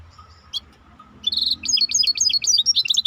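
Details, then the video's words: Maestro bird song opening with a thin high note and a click, then a burst of rapid, varied chirps that rise and fall in quick succession; soft background hum. "احلى تغريد مباشر لطائر المايسترو 🐦The best direct tweet of the Maestro bird"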